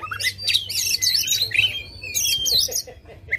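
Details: White-rumped shama singing aggressively, tail spread, to prompt a silent bird: two loud bursts of buzzy, warbling phrases laced with clear whistles, short gap between, low hum throughout.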